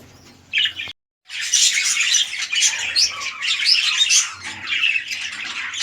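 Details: A breeding pair of red-eye lutino budgerigars (a king-size male and an undersized female) chatter in a dense, scratchy stream of high chirps and warbles, several birds overlapping almost without pause after a brief silence.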